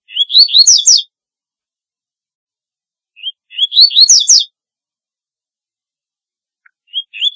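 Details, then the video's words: Double-collared seedeater, corbatita, sings short, rapid twittering phrases, each a run of rising whistled slurs ending in a buzzy flourish. They repeat every three seconds or so, and a third phrase begins at the end. The background is quiet. "Corbatita Canto Para LLamar 2 - Double-collared Seedeater Call Song - Sporophila Caerulescens"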